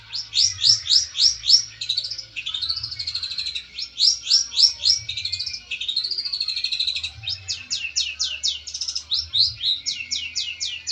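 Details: Long-tailed shrike, a fighter bird calling out a rival, pours out a fast, varied medley of sharp chattering notes, rising slurs and wavering whistles, several notes each second, over a faint low hum; used as a lure song.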